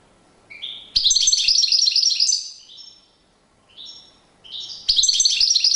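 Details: European goldfinch singing in courtship display, several twittering phrases, some soft lead-in notes, then two loud bursts of fast, high, jangling trills separated by a brief quieter interlude.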